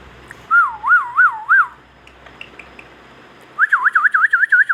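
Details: Pakistani Indian ringneck parakeet whistling clear, wavy notes that undulate up and down about three times a second, a short pause with soft chirps, then a longer, faster wavering whistle of six swoops.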